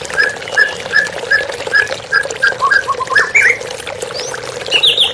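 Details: In a therapy recording with running water, a white-rumped shama repeats a short whistled note about twice a second, then breaks into quick rising slurs and high twisting phrases, over steady water noise.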